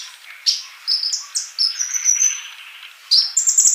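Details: Male olive-backed sunbird singing for young birds to learn from; bright high whistles slide and step upward into a sustained thin trill, then a fresh shrill phrase begins.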